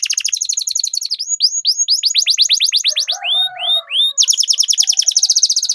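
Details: Rolling canary song played as a tutor song to coax silent birds into singing: dense high trills, then a series of bright downward-sweeping whistles, a brief soft chatter, and a final rapid buzzy roll.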